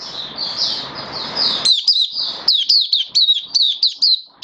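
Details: Mata puteh, the oriental white-eye, kept caged and building up form, sings a steady series of high, sharp slurred notes, roughly one per fraction of a second, after an opening of softer, blurred warbling over hiss.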